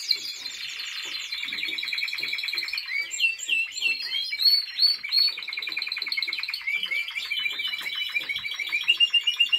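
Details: Timbrado Español canary in training, 2023: buzzy opening tour followed by fast rolling trills and metallic repeated notes, some bursts louder and spaced, ending in quick pulsed notes.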